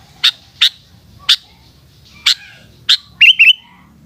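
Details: Sooty-headed bulbul in the afternoon: five sharp, evenly spaced click-like notes, then a fast pair of rolling whistled phrases, over quiet low hum.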